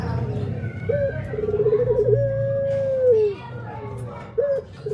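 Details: Cooing song of a male puter pelung dove: a clipped opening note, a rippling trill and a long sustained tone sliding down, with the next phrase starting, over constant low hum.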